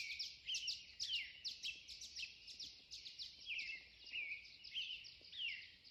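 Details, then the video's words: Dawn chorus at 4 am from a backyard in Pierce, Idaho, with several birds giving rapid high chirps and sliding whistled notes in quick succession, overlapping into a dense, steady twittering. "Birds Singing at 4 am"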